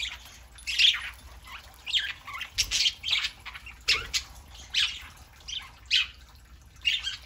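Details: Saturday-morning chatter from a group of pet parakeets, raspy squawk notes repeated roughly every second amid softer warbling, with a brief thump of wing flapping.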